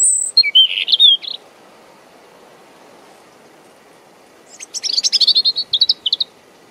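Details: A European robin at Deal, Kent, UK, on 17 April 2021 sings about 50 cm from the camera: two short, high phrases of thin whistles and quick twittering trills separated by a pause. Windy day; unprocessed camera audio with soft hiss.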